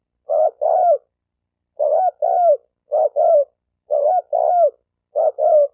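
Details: Cooing of a spotted dove, played to incite males and females to fight: five evenly spaced doublets of mellow low coos, the second note of each drawn out and sliding down.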